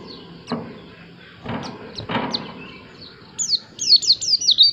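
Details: White-eye singing a quick run of high, thin, downward-sweeping whistled notes near the end, preceded by scattered faint chirps and several dull knocking sounds.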